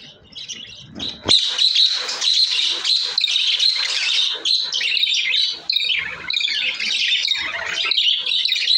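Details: Pet budgerigars, shown happy in a new cage, chatter continuously after a brief pause: dense scratchy warbling with squawky notes and short chirps, sustained high and busy for the rest of the recording.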